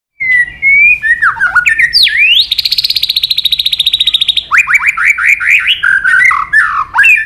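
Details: White-rumped shama training song, a long multi-phrase forest-style song: clear whistled slurs near the start, then a rapid buzzy trill of evenly repeated notes for about two seconds, followed by a series of rising whistled sweeps.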